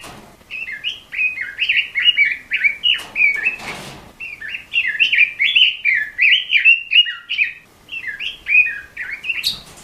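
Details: Song of a red-billed leiothrix, played to train captive songbirds, running as quick fluty warbled phrases in bursts, with a short rustling noise partway through.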